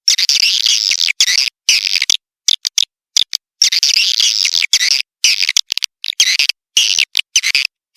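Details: Attraction track of swiftlet calls known as Tombak Raja: high-pitched chattering twitters in choppy bursts, sharply interrupted by many short silent breaks throughout.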